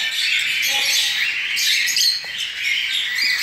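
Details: Hand-fed cockatiel fledglings, a group recently out of the nest, make a steady wall of raspy, high-pitched begging cries, loud throughout with little pause.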